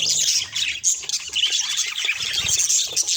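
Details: Busy budgerigar chatter: rapid squeaky chirps and warbled trills tumbling over one another without pause.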